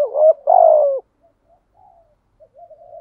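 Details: Spotted dove lure call for stimulating other doves: one rising note and a long buzzy coo in the first second, then faint scattered soft notes.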